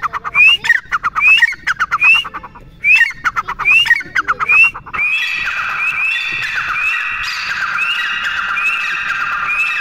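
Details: Grey francolin (teetar) calling: six rising whistled notes, each set among rapid clicking bursts, over the first five seconds, then a denser, continuous overlapping stretch of rising notes and rasping sound.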